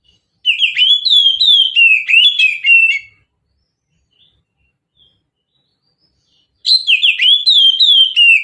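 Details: Oriental magpie-robin singing a mountain-style song used as a lure: loud, rapid phrases of whistled, warbling notes with sharp chirps, a three-second burst, a long silence, then another burst.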